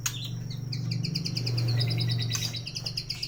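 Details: White-rumped shama in a bird shop in North Jakarta, its varied song meant to prompt mute caged birds to sing: a fast run of bright, evenly repeated high notes, about four per second, over a low steady hum.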